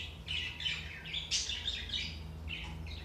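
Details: Budgerigars heard in a recording meant to stimulate inactive budgies; a busy, chattering warble of overlapping high chirps and squeaky notes runs continuously, over a steady low electrical hum.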